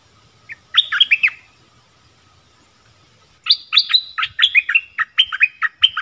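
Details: Decoy Dok Taeng bird calling a mate in the forest on 13 January 2021; a short twittering burst, then after a pause a longer run of loud, bright, down-slurred notes in quick succession.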